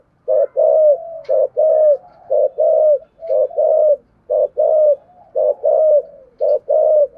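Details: Spotted dove song in the 'thổ sấm' style, complete with a two-part ending: a regular series of deep coo pairs, a quick note then a drawn-out mellow note, repeated about six times without pause.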